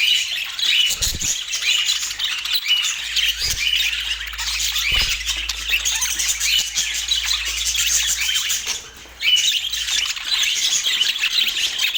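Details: Budgerigar chatter recorded in Portland: a constant, dense stream of shrill chirps and twittering, with a few low knocks and a brief drop in the noise near the end.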